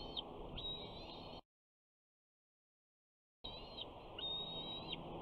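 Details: Sixty-eight-day-old bald eagle eaglet on its Big Bear nest, 21 June 2019, vocalizing as a parent brings fish: high, thin whistled notes in short bursts, broken by a silent gap, with a rough background hiss.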